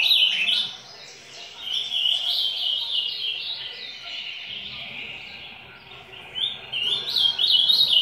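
Ultramarine Grosbeak singing a run of bright, warbled, high phrases that rise and fall almost without pause, in the 'macaco' song type.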